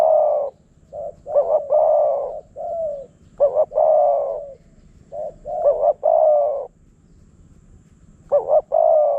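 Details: Spotted doves calling back and forth in Phrae, Thailand, a wild bird drawn in by a decoy: repeated phrases of soft short notes, stuttered doubles and long throaty coos, nearly continuous with brief gaps.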